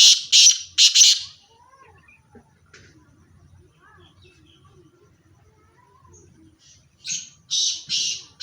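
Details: Black francolin pair: two loud, harsh, buzzy notes open the recording, then a long quiet stretch, then three more grating, rasping notes close together near the end.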